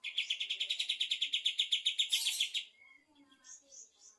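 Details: Energetic afternoon singing by a bulbul: a steady run of loud clipped notes repeated about four per second for over two seconds, then quieter scattered whistles.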